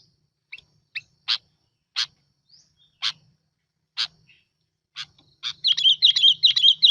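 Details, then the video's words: Sooty-headed bulbul used as a lure bird: a series of dry, sharp clicks about once a second, then a fast, wavering, whistled warble that starts near the end. "Tiếng Chim Bông Lau Mồi"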